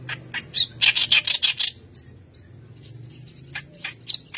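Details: White-browed kerak basi in lively song, used to train young birds: a fast flurry of harsh, buzzy chattering notes, then a gap before scattered sharp calls return.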